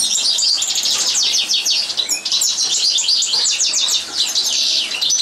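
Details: European goldfinch singing during a live training session: a dense, continuous run of fast, high twittering and tinkling notes with bright buzzy trills and short whistles, barely pausing, with no other clear sounds.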